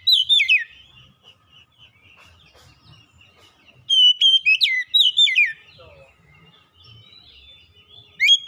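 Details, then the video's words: Lure song of the kacer, or Oriental magpie-robin, played to entice a lazy bird to sing: a phrase of swooping whistles opens, a longer run of chirps and slurred notes follows midway, and another starts at the end, with faint low noise between. "kicauan Kacer pemikat | Kacer malas bunyi terpikat langsung gacor"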